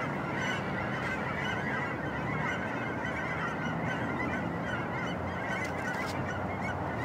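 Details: Canada geese recorded November 23, 2010 in Vancouver, Washington, USA: many honking birds calling at once into a thick, continuous wall of nasal honks, with some sharper higher calls near the end.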